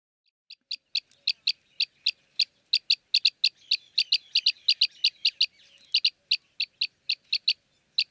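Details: Arabian green bee-eater in Jeddah, Makkah Region, Saudi Arabia, giving a long, steady run of short, bright chirps, about three to four per second, with some notes doubled; no other sounds stand out.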